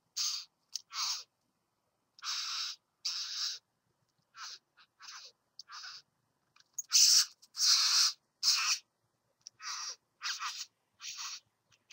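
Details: Visitor at a satin bowerbird's bower, calling with a long run of grating, buzzy bursts, roughly one a second for twelve seconds. The loudest, longest notes come near the middle, against an otherwise silent background.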